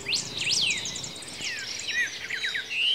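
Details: Greyish saltator in Esperanza, Santa Fe province, Argentina, 2023, giving a melodious, complex song: sharp up-and-down whistled notes, then a series of descending slurs and a closing rising whistle, all quite loud.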